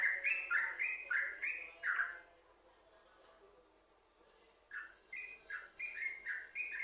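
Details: Continuous 'sambung ropel' song of a yellow-vented bulbul, played to coax other bulbuls into singing: a rapid run of liquid, slurred whistles, a silent gap of about two and a half seconds, then another lively burst of bubbly notes.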